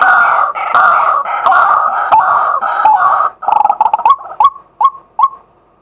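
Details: Daytime male White-breasted waterhen acting as a decoy, recorded live on a set-up camera: loud, raucous, overlapping croaking calls that break into a row of short, clipped hooting notes.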